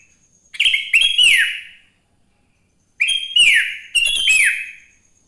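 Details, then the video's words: A sooty-headed bulbul sings in the morning, in a recording used to coax other bulbuls to sing. Two bubbly bursts of quick chirps end in downward-sliding whistles, separated by about a second of silence, over a faint steady high hum. "Suara Burung kutilang GACOR di Pagi hari‼️ Joss Buat Pancingan Kutilang Bahan Agar Cepat Bunyi"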